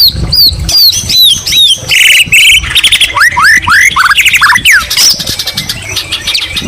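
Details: White-rumped shama singing with green leafbird mimicry: high downslurred whistles, harsh buzzy bursts, then a string of sharply rising notes at about two or three per second.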